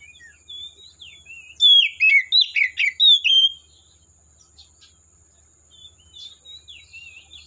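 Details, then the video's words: Oriental magpie-robin singing in the forest: a loud burst of rich, varied whistled and chattering phrases around the middle, between quieter warbled notes, over a steady high hiss. "Suara Burung Kacer Asli Hutan"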